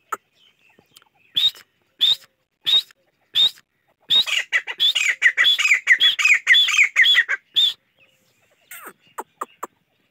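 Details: Chachalaca, locally called gora teetar; loud harsh squawking notes, first spaced singly about every half second, then a rapid run of grating, chattering calls, ending in scattered short notes.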